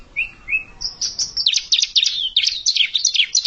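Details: Bar-winged prinia, an unseasoned bird confronting an established rival, opens with two short rising whistles, then breaks into a fast string of piercing, zigzag chirps.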